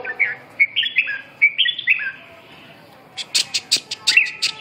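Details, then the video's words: Red-whiskered bulbul song: short bright whistled phrases, each with a quick upward slur, repeated for about two and a half seconds, then a burst of sharp clicking chips and a final whistle. "chim Chào mào"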